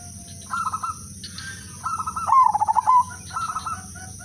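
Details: Zebra dove, udanmas silver variety, lure song: a loud central phrase of quick staccato coos with a drawn-out end, flanked by shorter and fainter stuttering phrases from neighbouring doves.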